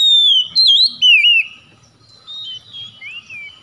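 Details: Loud Oriental magpie-robin song meant to stir a stalled bird into full song: bright sliding whistles, rising then falling, followed by softer, quicker warbled phrases.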